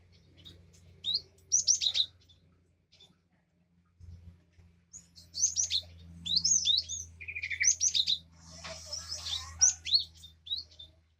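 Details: Cinereous tit recorded to coax a silent caged bird back into song: bursts of high, clear downslurred whistles, several in quick succession, over a faint low hum.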